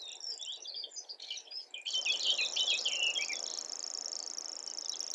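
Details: Grasshopper warbler song: after a burst of varied, scratchy chattering from another bird, a steady, very high, insect-like reeling trill starts and runs unbroken to the end, with faint chatter beneath.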